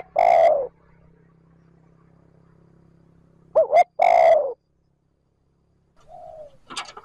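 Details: Decoy spotted dove giving trơn ròng lure calls: a long falling coo, a low hum, then two quick hoots and a long coo, followed by a faint softer coo and a brief sharp note.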